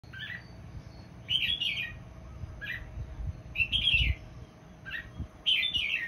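A red-whiskered bulbul sings short, bubbly warbled phrases, about six in quick succession, roughly one per second, over a low background rumble.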